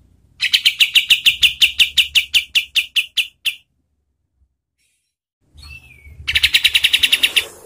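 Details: White-shouldered triller song meant for training contest birds: a run of about fifteen rapid, scratchy notes slowing slightly at the end, a silent gap, a brief descending whine, then another fast burst.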